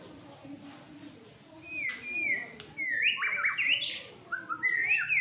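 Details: White-rumped shama, a fighter bird, agitated and singing hard. After a quiet, low-murmured start, loud clear whistled phrases begin near the two-second mark: sweeping notes that rise and fall and overlap in fast, varied bursts, with a sharp click among them.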